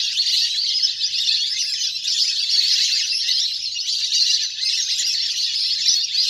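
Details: Wild ducks in a large flock playing in water, a lure recording for bringing birds down; unbroken wall of bright, squeaky chirping calls from many birds overlapping.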